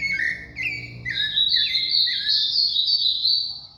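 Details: Sabiá thrush delivering a continuous, loud, high whistled song, notes stepping and sliding between pitches and then running into a sustained warbling stream; quiet background.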